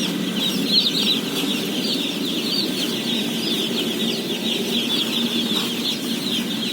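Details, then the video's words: Seventeen thousand day-old chicks being fed fill the air with a dense, shimmering chorus of thin high peeps, carried over a constant low droning rumble. "BABY CHICKEN SOUNDS"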